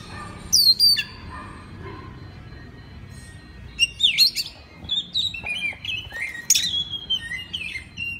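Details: Training song of an Oriental magpie-robin, meant to be copied by other birds: sharp high whistles open, then after a pause come varied sweet slurred notes and quick chirped phrases, with a quiet hum underneath.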